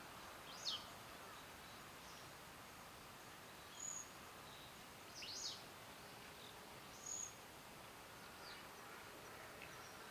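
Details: Grey-streaked flycatcher calling actively, though usually a rare caller. A few short, very high, thin calls come several seconds apart, some as sharp sweeping notes and others as brief level whistles, over faint steady background hiss.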